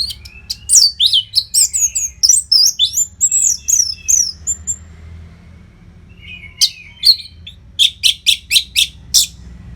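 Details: Orange-headed thrush (anis merah) kept as a trained songbird, continuous training song without pauses used to keep fighter birds fit: loud varied whistled phrases with sharp slurred notes, a quiet gap, then a rapid burst of repeated high chips.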